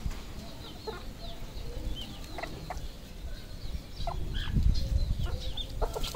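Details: Red junglefowl on a farm in Cambodia: scattered high arched peeps and short clucks from several birds, with steady low rumbling background noise that swells near the end.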